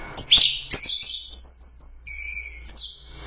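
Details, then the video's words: Orange-headed thrush, a champion competition bird in teler doyong style, gives a quick series of high buzzy trilled notes, a clear steady whistle and a closing sharp chirp. "Suara Burung Anis Merah | GACOR Teler Doyong"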